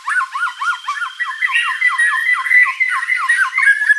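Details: White-rumped shama singing vigorously, its song rich in mimicked phrases, played as a lure to make rival birds answer; a rapid run of short arched notes repeated several times a second, then brighter, higher, more varied phrases.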